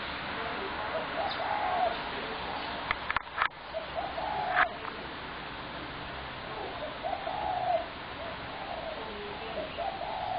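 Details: Spotted dove calling on 21 January 2017: low soft cooing phrases recurring every few seconds amid constant background noise and a few sharp clicks.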